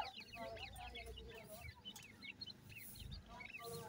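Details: Francolin (teetar) chicks, described as Irani teetar / grey francolin chicks, give a busy chorus of thin, high, quick overlapping cheeps every fraction of a second, over a low rumble and faint voices.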